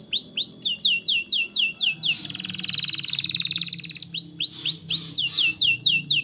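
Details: Canary song as a tutor for young canaries: repeated curved whistled notes, a two-second rapid rattling trill, then more swept whistles with a harsh buzz.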